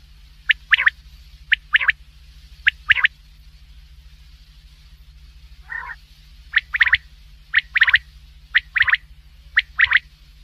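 Black francolin giving harsh, grating clusters of two to four clipped notes, roughly once a second, over a steady low mechanical hum.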